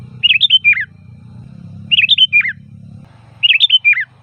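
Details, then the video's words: Three evenly spaced descending whistled phrases of a sooty-headed bulbul, used for luring bulbuls, each a quick cascade of liquid notes, with a low rumbling background. "Suara Burung Kutilang Gacor FULL VARIASI"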